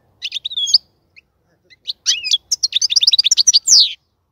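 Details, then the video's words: Short burst of European goldfinch song from a bird in a breeding cage: a few bright chirps, a pause, then a quick tumbling run of high twittering notes ending in a slurred squeaky call. "الغناء الجميل جدا لحسون الحسون"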